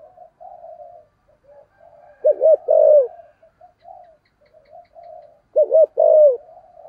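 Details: Caged decoy spotted dove with a 'thổ'-style voice, meant to provoke wild doves; two clear phrases of a quick double coo and a longer descending note, separated by quiet soft hooting.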